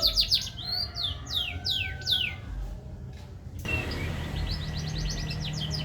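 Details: Song of a green canary: loud, quick falling whistles and chirps, a brief pause, then a softer rapid trill of high notes over a sustained tone and low background noise.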